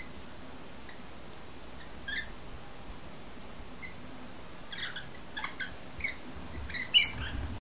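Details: Rainbow lorikeets, a pair bonding by regurgitating food on a window sill shortly before sunset, make soft scattered squeaks. These build into a cluster of sharper, clicky chirps near the end, ending in a brief louder squeal.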